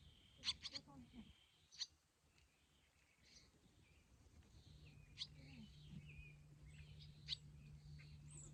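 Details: Three wild young barn swallows, out of the nest, call to their parents as the adults fly by and coax them to take flight on day three. Brief sharp chirps and warbled twitters come in bursts, with a faint low hum and some voices.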